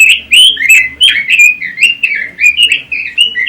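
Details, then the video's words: Pekin robin, a songbird imported from China, Taiwan and the Netherlands and kept for training and competition, sings a rapid run of warbled, sliding phrases about three times a second, with a faint low hum underneath. "Kicau Burung ROBIN"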